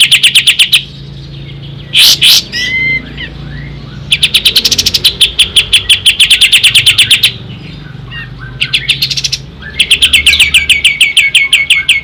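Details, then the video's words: Ashy tailorbird singing: bursts of rapid, high, even notes repeated in long runs of about three per second, separated by short pauses, with a few sharp chip notes and a soft low hum underneath. "Suara asli kapas tembak"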